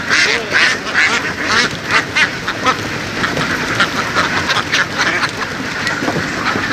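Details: Herd of laying ducks in rural fields of western Vietnam, harsh nasal quacks overlapping in uneven surges, a few sharper individual calls standing out early amid the flock's chatter.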